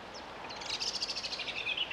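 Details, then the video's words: Common moorhen chicks calling: a quick run of thin, high pulsed peeps that rise in strength and then fade, with faint background noise. "Poussins poule d'eau"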